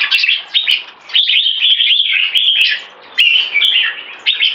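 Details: Caged red-whiskered bulbuls (jambul) competing in a high-performance singing match, one bird molting: lively whistled phrases and quick chatters run together, punctuated by sharp clicks, with a short pause midway.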